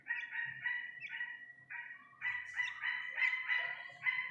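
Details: An Iranian partridge chick gives a rapid run of rich, nasal, overlapping notes, many per second, that become denser and louder in the second half, over a faint low background hum.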